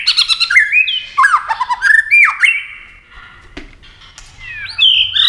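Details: White-rumped shama in a fast competition singing bout while flashing its wings and flicking its tail, pouring out rich whistled slurs and rapid chattering notes, then a quieter pause before rising whistles resume.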